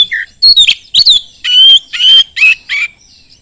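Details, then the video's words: Oriental magpie-robin singing fast as a lure to provoke other magpie-robins into answering: a varied run of loud, clear whistled phrases, some sliding down, some wavering, with short harsh chattery notes between, in a quiet setting. "kacer gacor sangat cepat memancing kacer nyaut ikut gacor dengan suara tembus"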